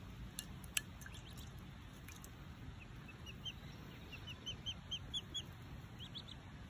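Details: Orphaned wood duckling in care taking its first bath in a shallow drinking dish; a quick series of short, high peeps fills the second half, preceded by sharp splashing clicks, all over a steady background hiss.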